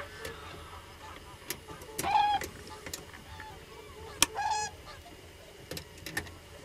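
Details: Many common cranes present: two clear bugling calls a couple of seconds apart with rich overtones, amid sharp clicks and knocks and faint distant calling.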